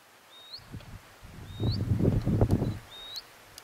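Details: Cordillera canastero gives thin whistled notes that slide upward at the end, three in under four seconds, against loud low wind rumble.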